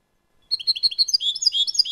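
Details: European goldfinch singing in a clean recording: after a short silence, quick liquid twittering notes start, becoming a denser, buzzier jumble of high chirps toward the end.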